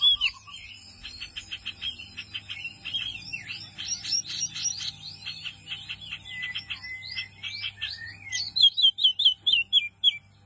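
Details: A white-eye, or wambi mini, delivers a fast twittering song of thin high notes that builds into a dense warble. It ends with a run of sharp, evenly spaced rising chirps, with a low hum behind.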